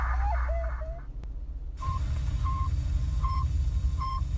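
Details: Northern saw-whet owl call heard on a mysterious 96.7 FM radio broadcast in Portland, distorted by a filter: monotone whistled toots evenly spaced about every 0.7 seconds over heavy low rumble and hiss.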